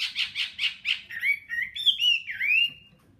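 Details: Wild-caught hwamei kept caged one season, a fighting bird singing 'hót xòe': a quick series of pulsed harsh notes followed by bright, slurred whistles that rise and fall before stopping.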